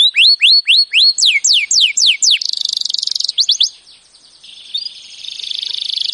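A canary sings a fast, varied song: rising whistled notes repeated quickly, a dry buzzy trill, then a softer twittering run.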